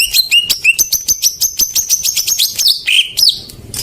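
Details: Greater green leafbird song as a lure for non-singing birds: fast series of high sharp chips, about three per second, ending in lower slurred whistles.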